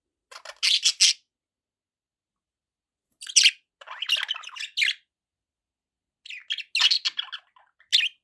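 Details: Captive budgies let out three separate bouts of loud, raspy squawk-chirps with warbled notes. The bouts are divided by silent gaps of about two seconds.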